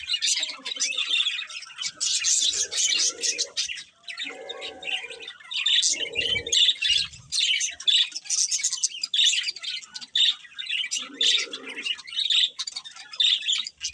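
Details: Pet budgies chattering steadily: busy, scratchy warbles and sharp chirps run almost nonstop, broken by a few short pauses and brief lower notes.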